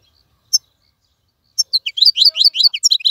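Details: Wild-caught goldfinch in a cage: one isolated high note, a pause, then a rapid, rising burst of bright twittering song notes.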